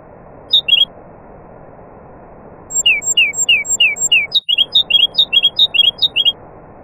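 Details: Nightingale, with other birds, singing: a short whistled motif, a silence, then five descending slurred whistles followed by a rapid series of rising-and-falling two-note phrases repeated about three times a second, over steady background hiss.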